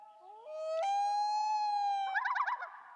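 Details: A loon's haunting wail, used with mates and for territory especially in breeding season, carrying over lake water: a clear, mournful tone sliding upward in two steps and holding, then breaking into a quick, quavering warble.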